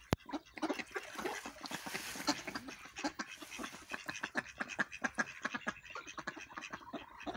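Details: Several ducks quacking while feeding and squabbling: rapid, raspy quacks in irregular bursts, with scuffling and pecking sounds between them.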